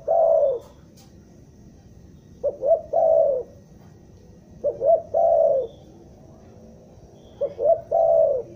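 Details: Spotted dove lure call for trapping, Bandung, stuttering style. Each phrase has two quick mellow coos and a longer, slightly falling coo, repeated roughly every two and a half seconds in a calm setting.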